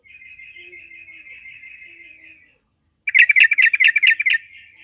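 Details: Yellow-vented bulbul song played as a lure to prompt other bulbuls to sing quickly: a faint, steady buzzy trill for about two and a half seconds, a short pause, then a loud burst of about eight rich, bubbly notes in rapid succession.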